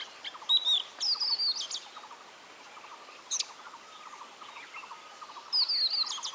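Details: Oriental magpie-robin in India giving brief bursts of high whistled, twittering song with long gaps between, while a fainter repeated chirping continues steadily behind.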